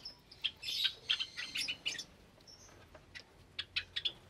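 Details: Java sparrow flock in a cage with chicks, recorded on a May 2022 Sunday morning: a rush of squeaky, bubbling chatter, a brief thin whistle, then scattered sharp high chips.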